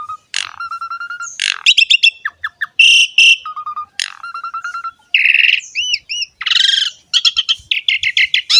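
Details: Asian pied starling in prolific song, played to prompt young, quiet or newly caught birds to sing: a lively mix of piping whistle runs, crackling chatters, harsh buzzes and looping high whistled notes.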